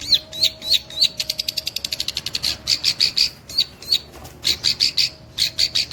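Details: Long-tailed shrike imitating the cililin: a few twisting high notes lead into a rapid ticking trill, then clusters of loud clear high notes with brief pauses between groups.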